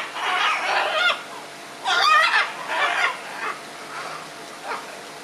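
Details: Red-and-green macaws squabbling: a long raspy screech, then a louder grating outburst followed by several shorter hoarse squawks tapering off.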